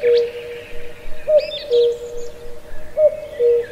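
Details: Cuckoo singing in a lush ancient deep forest at Pallandri, Azad Kashmir: a clear two-note falling cu-coo, higher note then lower, repeated about every 1.7 seconds, over a steady low tone, with other birds chirping faintly at higher pitch.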